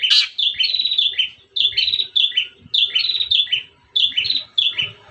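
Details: Long-tailed shrike song in the morning, used to lure other shrikes into singing: one harsh opening note, then repeated bursts of quick, warbling chirped notes separated by short pauses.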